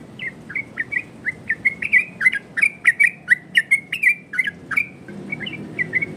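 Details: Yellow-vented bulbul delivering a rapid 'ropel' song used as a lure and training song for other birds: a long stream of bright bubbly whistles with crisp clicks, briefly pausing before resuming.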